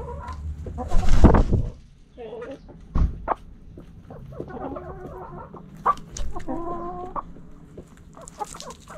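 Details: Backyard hens and roosters pecking and scratching; a loud noisy burst at the start, then scattered clucks and short harmonic calls with scratching clicks.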